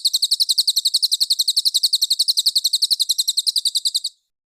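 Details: ['Cililin singing, recorded as a master for training murai batu, kacer and other contest birds: quick, clean, sharp high chips in a fast, regular series lasting four seconds before cutting off.']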